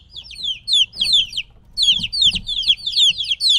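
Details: Separated from their mother, three-week-old chicken chicks call insistently: bright descending cheeps in clustered bursts, a short lull in the middle, then another busy overlapping chorus.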